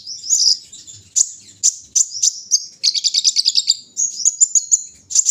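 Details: Brown-throated sunbird at morning dewing, with high thin whistles and chirps, a short rapid buzzy trill midway, then quick repeated tweets.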